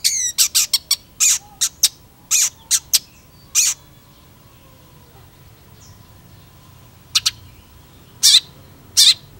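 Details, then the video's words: Long-tailed shrike singing actively: sharp, high, harsh bursts in quick clusters, then scattered single notes after a quiet gap near the middle. "PENTET GACOR"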